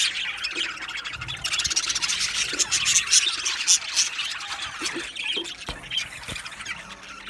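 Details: Caged budgerigars in a colony chattering with squeals and chirps, a loud dense middle section fading to sparser scattered calls and clicks toward the end.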